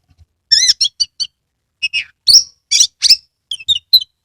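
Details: Oriental magpie-robin from Kebumen, Central Java, a caged bird with its tail opened; quick wavering whistles, then harsh loud buzzy bursts and a few sharp chirps in close succession, recorded near and clear.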